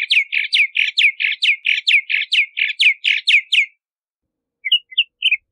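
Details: Bahama mockingbird pouring out a rapid series of about sixteen harsh downslurred notes, close together and steady, then after a pause a few short, softer chirps.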